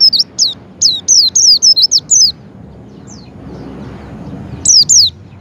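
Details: Lure sound of a Javan white-eye for prompting a kept white-eye to open its beak: a rapid run of sharp, high, down-slurred chirps, a quiet gap, then two more chirps.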